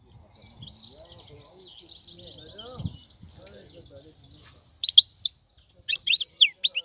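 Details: A European goldfinch twitters softly at first, then breaks into loud, sharp, high chirps and quick liquid notes over the final two seconds.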